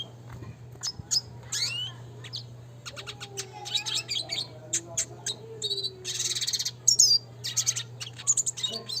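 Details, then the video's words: Classic red siskin in lively training song: a continuous stream of high twitters, buzzy trills and rising whistles, growing denser and louder midway, with a low constant hum underneath. "pancingan suara kicau burung red siskin klasik gacor nembak ngeroll"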